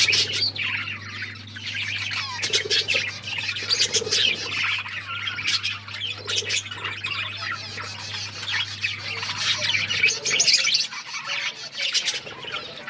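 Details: Pet budgerigars eating food and chirping; continuous busy chatter of high twitters, squawky notes and clicky bursts from several birds, with a low hum that fades out near the end.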